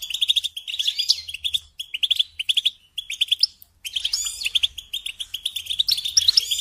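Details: European goldfinch song for training songbirds, delivered as repeated phrases of quick liquid twitters and trills, each separated by short gaps, growing busier toward the end.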